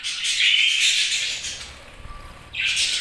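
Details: Several budgies chirp in dense, scratchy chatter with high squeaks, dipping quieter midway before a fresh burst of chirps at the end.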